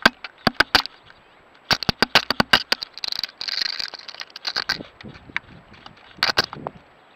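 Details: A male woodpecker, either a Gila or a Ladder-backed Woodpecker, hammers at a trail camera with sharp, irregular knocks in quick bursts and a brief scraping rustle between volleys, breaking the camera over about a minute.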